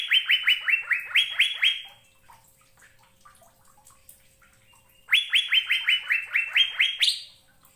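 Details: Asian fairy-bluebird song: two rapid phrases of ringing, downward-slurred whistles, evenly spaced, with a sharp rising note closing the second phrase, separated by a three-second silence.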